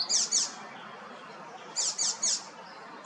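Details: Icterine warbler song from a city tree in Hrodna, western Belarus, in early June: sharp, high chirping notes given in quick pairs and triplets, with short pauses between the groups.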